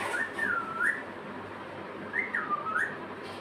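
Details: Pet parrot whistling: two clear, swooping tones, each dipping and rising again, about two seconds apart, over a steady background hiss.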